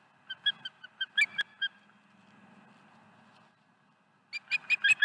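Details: Osprey chicks at the nest at night; series of short, sharp, high whistled chirps repeated in quick bursts, a pause with faint low hum, then a faster run of piping calls at the end.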